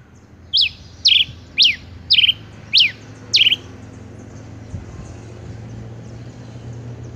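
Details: A male rufous-collared sparrow sounds six loud, high, steeply down-slurred notes about half a second apart, then falls quiet, leaving a low steady hum.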